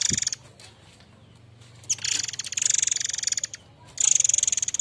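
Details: White-rumped shama of the Air Mancur variety gives harsh rasping notes used to tutor and provoke other birds: a clipped burst, a pause, then a long stuttering rattle and a final loud buzzy burst.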